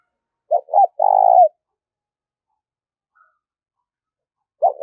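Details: Spotted dove in gáy thúc and gáy gọi calling, a type used to excite decoy birds: one full low phrase of two clipped notes and a long vibrating coo, then silence, then the start of another phrase.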